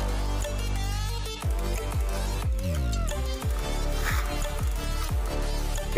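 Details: Electronic dance music with a heavy bass beat and sweeping synthesizer slides, with no animal sound.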